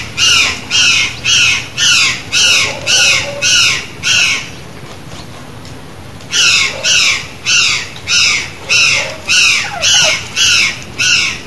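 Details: A curl-crested jay, free in the wild in Brazil, gives loud, harsh, hoarse squawks, about two a second, in a steady series that pauses for two seconds midway before resuming.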